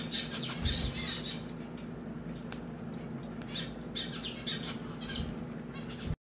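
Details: A female zebra finch being scratched while her sister helps gives quick, high, nasal chirps in two short bursts, over a steady low indoor hum.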